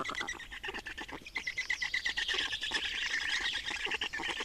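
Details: Black storks at their nest in Estonia on 28 May 2019, during a nest change and feeding: a dense, harsh, rapidly pulsed chatter with a steady hoarse note running through it, continuing without a break.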